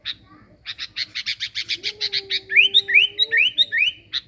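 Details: Sooty-headed bulbul (kutilang) lure sound: a fast series of about a dozen dry clicking notes, then four or five bright, rising whistled notes in quick succession. A low steady tone and faint hum lie underneath.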